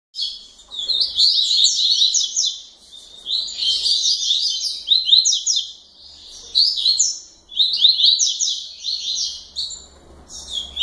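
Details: Double-collared seedeater (Sporophila caerulescens) from a breeder's family group, recorded late at night, gives bright, rapid, high, buzzy twittering phrases about two seconds long with short pauses between, over a faint low hum.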